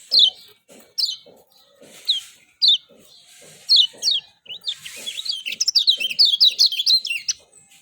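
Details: Lemon-bellied white-eye from Lombok: repeated sharp falling chirps roughly once a second build into a fast, lively run of twittering, rising and falling notes, with low dripping underneath.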